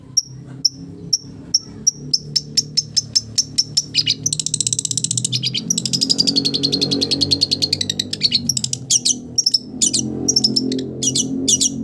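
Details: Long-tailed shrike song copying village birds: evenly spaced thin high notes, then a long dense buzzy trill, followed by mixed sharp ticks and clear whistled notes.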